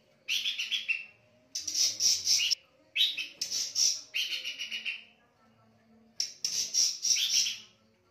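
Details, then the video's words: Pin-striped tit-babbler singing at night: loud, harsh, rapid chattering bursts of dry notes, each lasting about one to one and a half seconds, separated by short pauses, with a quiet background. "Burung Pelanduk Semak/Tikusan Gacor Di Malam Hari"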